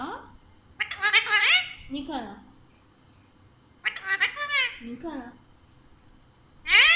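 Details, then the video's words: Talkative pet Alexandrine parakeet speaking Urdu/Hindi: two loud, raspy, word-like phrases with falling lower glides, separated by a pause, then a final bright burst. "Chatty Alexander Parrot Talking in Urdu/Hindi"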